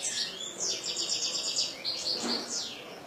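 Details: Kept European goldfinch song: a steady stream of high buzzy and tinkling notes, a drawn-out trilled phrase, then quick twitters, over light background noise.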